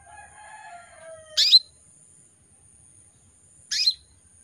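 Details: Female canary in breeding condition calling to males: soft low warbling notes fade before two sharp, high, downward-slurred chirps about two seconds apart, over a steady thin high hum.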